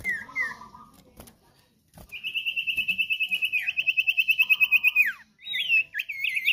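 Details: Common iora (sirtu/cipoh) in lively full song, used as a master recording for training cage birds: a long rapid trill of pulsed notes at about three per second, framed by short whistled slurs and chirps.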